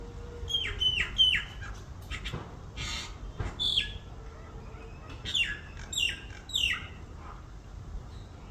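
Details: Baby bird giving short, high chirping calls in quick bursts of two or three descending notes, with pauses between bursts and some low background noise.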